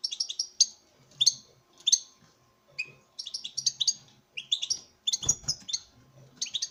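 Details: A breeding male European goldfinch displays to a female. Quick, high tinkling chirps are delivered in rapid clusters about once or twice a second, with a short rustle near the end.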